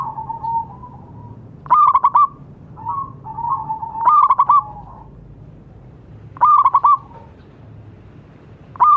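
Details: Local zebra dove singing strongly as therapy sound for doves that no longer sing: four bursts of four or five quick, ringing coos, interleaved with softer, drawn-out cooing phrases.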